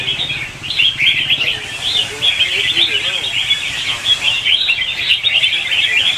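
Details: Several red-whiskered bulbuls in competitive morning song, intended as training and lure sounds for caged birds. Dense, rapid chirping phrases tumble over one another without a break, with a few softer lower notes mixed in.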